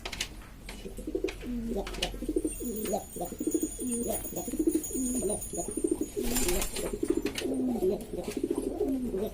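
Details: A rowdy flock of domestic pigeons of various fancy breeds in East Lombok, Indonesia, calling in rhythmic, pulsing coos roughly once a second, each swooping down and up, with a brief burst of noise midway.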